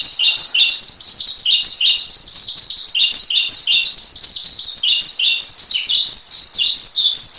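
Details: Continuous high-pitched warbling of a Javan pied starling (jalak suren) in a masteran recording, with rapid rising and falling notes tumbling together without pause for over seven seconds.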